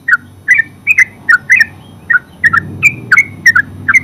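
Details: Terucuk, the yellow-vented bulbul, in full ngeropel voice: rapid gurgling chirps delivered in quick bursts of two or three, bright and liquid, continuing steadily, with soft traffic-like rumble underneath.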